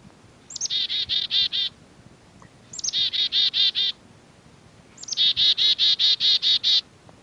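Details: A black-capped chickadee in Newfoundland gives three chickadee-dee alarm calls. Each is a couple of high introductory notes and then a quick run of five to eight buzzy, harsh dee notes. The number of dees varies with the perceived threat.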